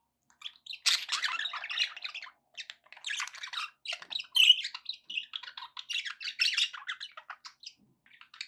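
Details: Pet budgerigars chirping, offered to encourage a pet parrot to eat and sing: dense, continuous warbling of buzzy, scratchy chirps and squawks with short pauses, several bursts per second throughout.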